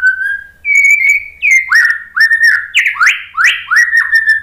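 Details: White-rumped shama (murai batu) song used to trigger a silent, stressed bird: a long whistle, then loud repeated downward-sweeping slurred notes about every half second.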